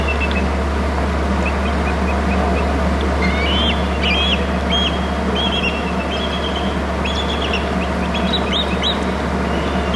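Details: Two bald eagles, the male and female of a nesting pair at their Hornby Island nest territory, call excitedly in high, chittering, squeaky overlapping bursts on 15 January, over a steady low rumble of wind or distant traffic.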